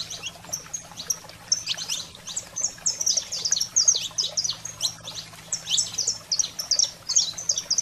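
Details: Fired-up 'fogo selvagem' song of a saffron finch, used to excite caged canaries. After a quieter start, a dense, rapid run of sharp, high chirps and slurred notes builds and keeps going, over a faint steady hum.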